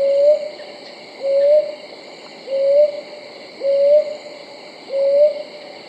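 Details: Five low, rising hoots from a brown hawk owl, evenly repeated roughly every 1.2 seconds, with a continuous shrill drone of insects behind.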